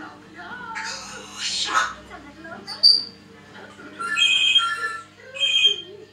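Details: Indoor pet African grey parrot chattering in speech-like syllables, then giving clear, steady whistled tones in two bursts, one sharp squeak between them, over a faint constant hum.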